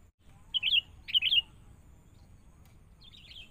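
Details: Young wild sooty-headed bulbul being trained with a decoy bird: two quick rippling, slightly buzzy twittered phrases in close succession, then a softer fainter trill near the end.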